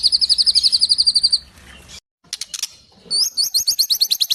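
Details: White-rumped shama song mimicking sparrows and tengkek: a quick high trill, a short silence, scattered clicks, then a renewed series of sharp rising chirps repeated rapidly.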